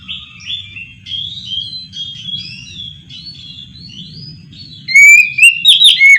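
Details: Kacer, the Oriental magpie-robin, recorded at night, giving a run of soft varied whistled and warbled phrases. It ends with a burst of loud, sharp, slurred whistles, with a faint low rumble underneath.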